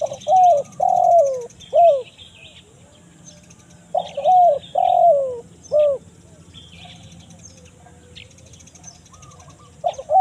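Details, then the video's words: Repeated spotted dove calls of the 'kuk 1 mersik' type, a lure for finding wild doves in forest: three phrases of rough notes, level and falling coos and a short end coo, separated by pauses, with faint high chirps. "MASTERAN UNTUK MENCARI BURUNG LIAR DI HUTAN~KUK 1 MERSIK"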